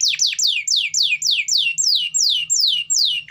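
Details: Canary singing steadily to prompt quiet canaries to sing, a regular series of about a dozen high whistled notes, each sliding sharply downward, repeated roughly four times per second.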